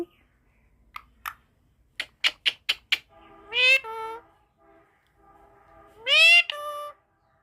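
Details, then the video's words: Parrot asked how a cat calls replies with imitation meows: quick clicking ticks, then two drawn-out, rising, nasal harmonic calls a couple of seconds apart, with soft murmuring between them. "টিয়া পাখির কথা শুনলে মন ভরে যাবে"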